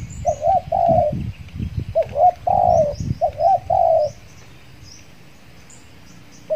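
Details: Trained spotted dove calling as a lure for wild doves after its moult; two bursts of short curled coos and long level coos, followed by quiet with faint high chirps of other birds and low rustles.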